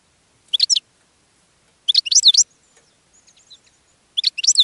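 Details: Caged European goldfinch singing to attract other goldfinches: three bright, tinkling, twittering phrases, each under half a second, with rapid up-and-down notes separated by quiet gaps and a few faint soft notes between them.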